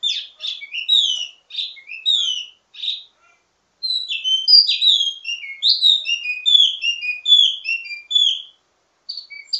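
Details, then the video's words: Ledekan song from a wambi mini, a teasing style rich in variations for tutoring birds of its kind: quick sequences of sharp whistled notes, a pause, then a long lively run of slurred chirps. "Ledekan Wambi mini Full Gacor Banyak Vareasi"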